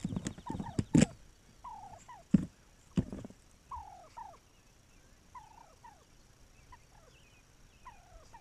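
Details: Wild turkey on May 7, 2021: a run of short, downward-slurred notes repeated roughly once a second, opening with several sharp loud knocks and thumps.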